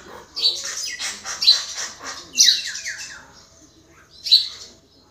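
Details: Common myna delivering loud scratchy squawks and descending rasping notes in separate bursts about a second apart, with a shrill squeal near the end.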